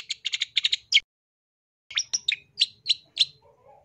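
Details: Long-tailed shrike song used as training material for birds: a fast run of short buzzy chirps, then a pause and a slower series of sharp, evenly spaced notes near the top of the range, ending in a faint low warble.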